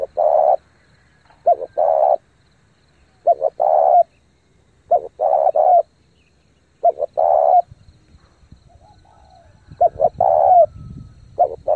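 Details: Rapid thúc gù cooing from a lure spotted dove: a series of phrases, each a couple of short notes leading into a longer hollow coo, coming every one and a half to two seconds against a quiet background.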